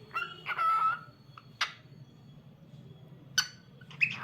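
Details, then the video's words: Cockatiel making a short whistled note followed by scattered sharp chirps and squawks, with a low background hum throughout. "Adorable Cockatiel Cute Singing Sounds"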